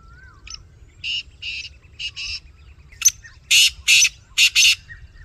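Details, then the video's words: Black francolin calling with a series of harsh, grating broadband notes, quiet at first and then louder, several in close pairs, over a faint low rumble with a few thin whistles early on. "Kala teetar | Black Francolin | Gora teetar"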